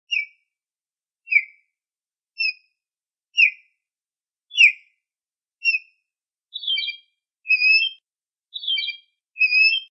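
An osprey gives ten short, clear whistled chirps about once a second, the later notes a little fuller and doubled, against a quiet background.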